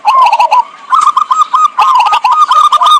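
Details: Zebra dove call for trapping birds: a nearly continuous run of rapid, bubbling cooing notes with fast, rhythmic pulses throughout.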